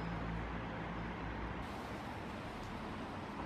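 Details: Dense roar of road traffic in an urban setting, with no bird calls breaking through.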